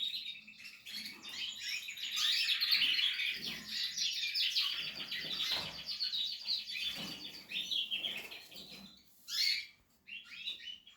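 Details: Canary of the Portuguese harlequin breed, building a nest, singing fast rattling trills that repeat several times per second, then ending with a few separate sharp high notes after a pause.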